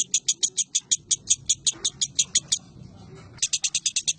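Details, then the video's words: Caged lovebird chattering on 19 January 2018: quick high-pitched repeated notes, breaking off for about a second of low background rumble, then resuming in the same fast shrill rhythm. "Suara Lovebird"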